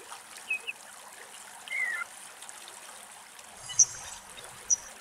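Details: Whinchat in Greece giving a few brief, thin notes: a short falling whistle and sharp high ticks, spaced a second or two apart over steadily trickling water.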